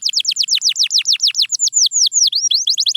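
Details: Canary song: a steady run of bright, high whistled notes, each sweeping sharply downward, repeated about seven times a second. The tempo slows into longer swooping notes midway, then quickens again.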